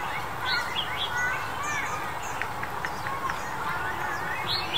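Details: Warbling white-eyes (Zosterops japonicus), in February 2021, give thin, high chirps and short sweeping notes in a loose, scattered series over a steady background rumble.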